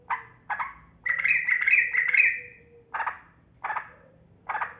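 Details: Yellow-vented bulbul (trucukan kebo), a long, continuous lure song for getting quiet caged birds to sing. Short harsh chattering bursts repeat about twice a second around one longer, rolling warbled phrase, over a quiet background.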